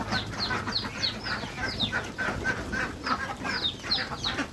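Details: Farm geese, young and adult, eating fresh grass beside a pond in the countryside; shrill downward-sliding peeps come in quick overlapping bursts, roughly one every second, over a soft background hum.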